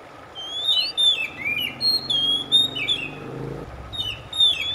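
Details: Song of an Oriental magpie-robin, meant to soothe a stressed, silent bird into singing: varied whistled phrases, some sliding downward, others short and sharp, delivered almost without pause, with a faint low hum beneath.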